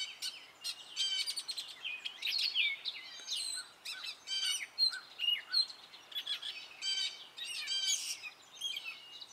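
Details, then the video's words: A male Gray Catbird sings his spring song, a rambling, nonstop jumble of short squeaky, scratchy and whistled phrases, often imitating other birds and sounds, some notes repeated, barely pausing. "Gray Catbird singing his spring song!"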